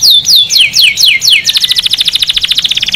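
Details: Canary song meant to stimulate males to sing and mate and to tutor chicks: five loud downward-sweeping whistles, then a fast, even trill of rapid repeated notes.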